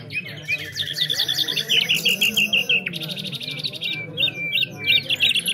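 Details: Competition nightingales in Afghanistan sing over one another. Quick series of high, even notes roll into buzzy trills, and a burst of rapid clicks comes near the middle. A low murmur of voices runs beneath.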